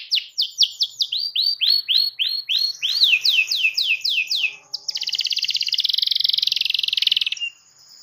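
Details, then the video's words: Canary in full song, described as gacor, giving a series of falling whistled syllables followed by a rapid buzzy rolling trill lasting about two seconds. "SEKALI NARIK KENARI LANGSUNG NGEROL NYAUT DENGAN SUARA KENARI GACOR INI"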